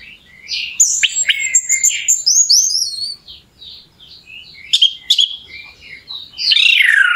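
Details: Orange-headed thrush in energetic song used as a lure to make other thrushes sing quickly; long varied sequence of high whistles, rapid twitters and sharp clicks, with a quieter middle and a loud scratchy phrase to finish.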